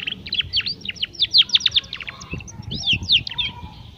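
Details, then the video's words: Young canary learning to sing: a rapid run of chirpy, sharply rising and falling notes in quick bursts, with soft low rumbling noise beneath. "Kenari Paud Belajar Bunyi"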